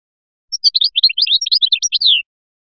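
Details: Biskra goldfinch song, flyachi style: under two seconds of varied, quick twittering notes jumping up and down in pitch, ending with a drawn-out downward-sliding note. No other sounds.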